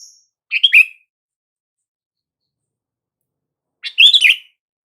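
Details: Sooty-headed bulbul call used to prompt silent bulbuls to respond: two short bubbly, chirpy phrases about three seconds apart, each a quick cluster of notes ending in a slurred tail, against an otherwise quiet background.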